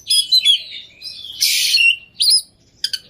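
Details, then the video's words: Oriental magpie-robin in full-fill song: a sweet, wavering high whistle, then a harsh, scratchy burst, a sharp rising note and brief clicks, delivered loudly and close. "kacer gacor full isian"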